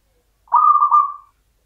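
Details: Local zebra dove (perkutut) from a champion line, singing in the standard Mataram rhythm: one mellow, low coo of under a second with a couple of gentle pulses, fading out smoothly against silence.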